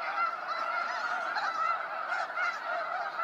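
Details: Snow geese in a sunset fly-out at Sacramento National Wildlife Refuge, their nasal, yelping honks layered densely, with loudness swelling and easing in short pulses as the flock calls.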